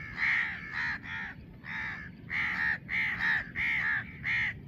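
A young house crow gives harsh, nasal caws, about eight in under five seconds, some doubled, over faint low background rumble.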